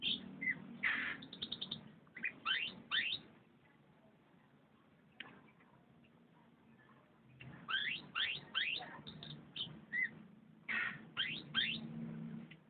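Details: Canary song: bursts of quick high sweeping and trilled notes in rapid rising strokes, a quiet gap, then another run of fast swept phrases, over a steady low hum.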